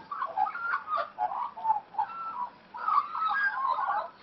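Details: Wild-raised Australian magpies at play, giving burbling, mid-pitched warbles in short phrases, one pause near the middle, then a fuller run of gurgling, fluting notes.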